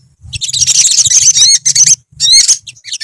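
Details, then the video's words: Colony of olive-backed sunbirds giving rapid, high-pitched twittering song with glinting whistled slurs, one continuous bustling burst, a short gap, then another, over a steady low hum. "BURUNG SOGON / SOGOK ONTONG / SOTONG SUARA TERAPI KOLONI GACOR"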